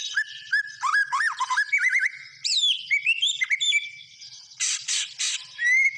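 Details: Lively white-rumped shama song of slurred rising and falling whistles, rapid trills and a bright upward sweep, with a burst of harsh raspy notes near the end followed by a clear whistle.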